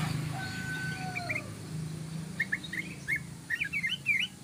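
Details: Yellow-vented bulbul in rapid 'ropel' song style, used as a lure. Short bubbly chirps climb and fall at mid pitch in quick clusters, growing louder toward the end, over a long, smooth, falling whistle and a low background hum.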